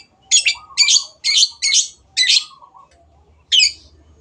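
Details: Long-tailed shrike giving a series of six harsh, rasping, buzzy notes in quick succession, then one more after a pause, with a soft, low, wavering whistle running beneath the first notes.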